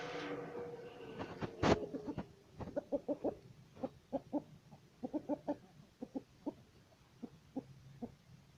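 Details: Chicken calling hens: after a loud opening squawk, short low clucks come in quick bursts of two or three, repeating steadily for several seconds over faint background hiss.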